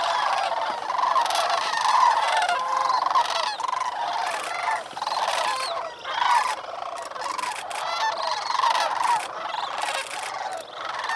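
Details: Sandhill cranes that spent the night on water at Bosque del Apache, New Mexico, call shortly after sunrise on November 28, 2010, at 18°F, before flying to the refuge cornfields. Irregular, repeated trumpeting bursts overlap from many birds.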